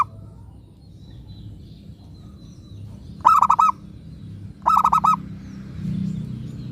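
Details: Local zebra dove, a keen lure singer meant to make other doves reply, delivers two quick phrases of bubbling, pulsed coos about a second and a half apart, low hum in the background.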